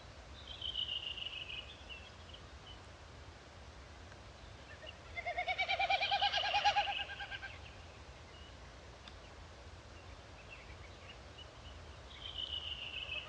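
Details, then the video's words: Wilson's snipe: a short hollow, throbbing hum with stacked overtones swells in mid-clip, while thin high whistled notes from other birds sound at the start and end over a steady background hiss. "What Does A Wilson’s Snipe Sound Like?"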